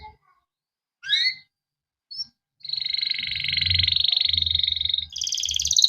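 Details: Kept canary singing the cuit cuit ngerol style, a long rolling song played to train other canaries. A few sharp chirps lead into a long, steady buzzing trill that shifts higher near the end, with faint low rumble beneath.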